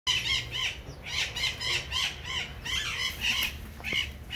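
Military macaw giving loud, harsh, raspy squawks, repeated roughly twice a second in an uneven series, over a low background rumble.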